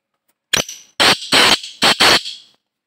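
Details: Black francolin (kala teetar) calling at very close range: five loud, harsh, grating bursts in about two seconds, arranged as a short note, a pause, two longer notes, then a final pair. The sound is heavily distorted, with no other sounds.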